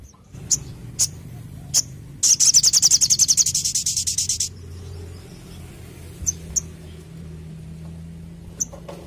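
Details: Singing orange-headed thrush, a rapid 'tembakan' volley: a dense two-second high rattle of quickly repeated notes, fading toward the end, framed by isolated sharp chirps and a steady low hum.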